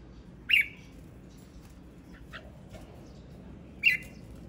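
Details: Singing male red-whiskered bulbul gives two loud, short, sharp whistled notes about three seconds apart, with faint clicks and soft noises between them.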